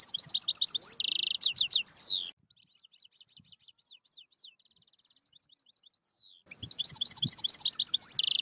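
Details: European goldfinch singing, a teaching recording: loud bursts of sharp twittering and a buzzy note, a softer stretch of quick quiet notes in the middle, then another loud twittering burst.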